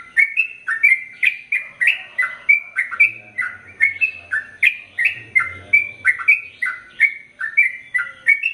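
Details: ['Chatty Sooty-headed bulbul delivering long ropel panjang song for training male and female birds; short, rich whistled notes tumble one after another, swinging between higher and lower pitches without a pause, with a faint low hum.']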